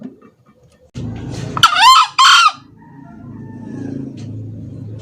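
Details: Male green junglefowl crowing, a recording meant as a lure for trapping birds: one short harsh two-part crow, a rising buzzy note then a second clipped burst, over a low steady hum.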